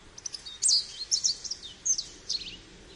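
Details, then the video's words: Short burst of American goldfinch twittering, a handful of sweet, high slurred notes and chirps in quick succession against soft background noise. "American Goldfinch Call | American Goldfinch Singing | Goldfinch Sounds"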